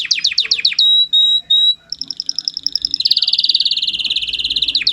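A canary sings a varied, high song: quick falling chirps, a few long pure whistles, then a fast buzzing trill that runs on for seconds.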